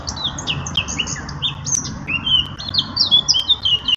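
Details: Eurasian blackcap singing a fast, varied warble of clear fluted whistles and short slurred notes, phrases tumbling one into the next with barely a pause, over a soft low background hum.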